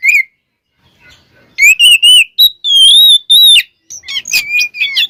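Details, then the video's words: Oriental magpie-robin (kacer) song used as a lure to trigger singing: sustained clear whistles with level and rising notes, followed by a fast burst of chirps and downslurs. "Suara Burung Kacer Gacor Full Isian, Pancingan Kacer Gacor Agar Cepat Emosi"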